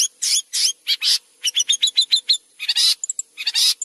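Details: Long-tailed shrike singing continuously as a tutor voice for white-rumped shama: harsh rasping bursts, then a quick series of sharp chipped notes, then more scratchy, noisy phrases with short high squeaks.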